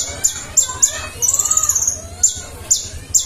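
A sunbird sings in very high, thin, sharp notes, spaced about every half second, broken by one quick buzzy trill. Faint voices sit underneath.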